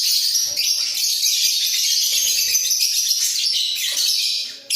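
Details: Budgerigar pair in a breeding cage, heads bobbing, pour out an unbroken stream of high, gritty chatter and squeaky whistles lasting the whole stretch.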